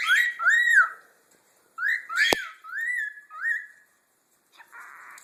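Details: Pet cockatiel, asked to "do the cricket", whistles a series of rising, arched chirps imitating a cricket, while its parents chirp in the background.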